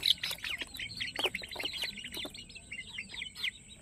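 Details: Crowd of Peruvidai chickens, young chicks at a farm, giving busy high-pitched peeping, short downward-sliding notes tumbling over one another, louder at the start and thinning out, with a few knocks in the background.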